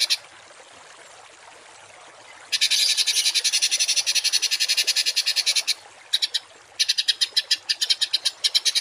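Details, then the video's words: Rough 'tembakan kasar' songbird notes for tutoring cage birds; quiet for the first couple of seconds, then a long buzzy rapid rattle, followed by choppy broken bursts of the same grating pulses. "MASTERAN BURUNG TEMBAKAN KASAR || Suara Masteran kasar langganan juara"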